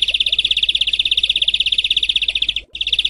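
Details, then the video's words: Rough 'besetan' masteran for songbirds: a steady, very fast scratchy rattle with a tiny break near the end, over background hiss. "Masteran Besetan Kasar Mematikan"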